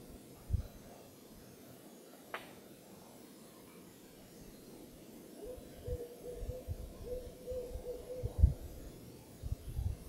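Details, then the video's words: Owl calling during moonrise at the Carpenter Mountain lookout, H.J. Andrews Forest, Oregon: a short run of low, even hoots in the second half, mixed with thumps and handling knocks, after a sharp click near the start. "Owl Calling at Moonrise"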